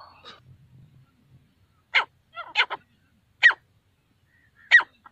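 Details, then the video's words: Grey francolin, locally called desi teetar, calling in the jungle: loud, harsh, ringing notes in an uneven series, a quick double then single notes about a second apart, with a soft low murmur at the start. "clear awaaz jungle mein desi teetar ki grey francoline hunting partridge jungle mein teetar Ki Boli"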